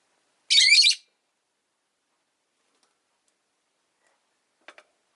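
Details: Rosy-faced lovebird giving one loud harsh screechy chirp lasting half a second, followed by silence and a faint click near the end.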